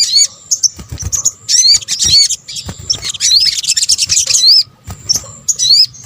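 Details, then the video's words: Sogok ontong (sunbird) calls layered for luring birds: shrill, fast twittering with many looping rising squeaks and some sustained thin high tones, in bursts with short pauses. "PANCINGAN SOGON BUNYI AMPUH | kombinasi suara sogok ontong"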